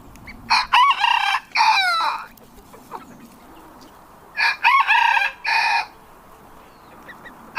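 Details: Rooster giving short, harsh, clipped crow-like bursts in two clusters separated by a few seconds of near silence, each burst loud and noisy with stacked overtones.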